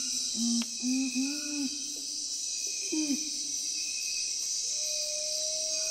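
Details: Nocturnal curassow calling: a series of low, hollow hooting notes with slight upward inflections, a pause, then a falling note near three seconds. A constant high, shrill insect chorus runs underneath throughout.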